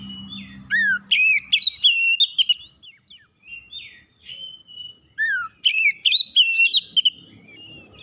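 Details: Oriental magpie-robin song meant to provoke a rival, two loud bursts each starting with a falling slur followed by quick whistled notes, with softer drawn whistles between them.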